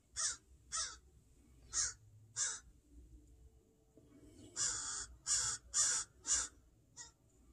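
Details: An upset crow pair guarding a fledgling against a person in a yard, calling with harsh caws: four spaced caws, a pause, then a faster burst of five loud caws and a final short one.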